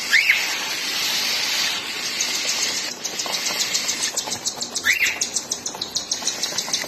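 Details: Mother cockatiel feeding her babies: two rising whistled calls stand out over a hissy background, then the chicks break into quick, regular high-pitched begging pulses during the second half.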